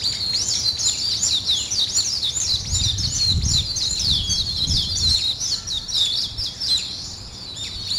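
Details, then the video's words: Morning birdsong chorus of rapid, looping high chirps repeated about four times per second, busy and overlapping throughout, with a soft low rumble in the middle. "아침을 깨우는 새소리 2 ,Birds wake up in the morning 2"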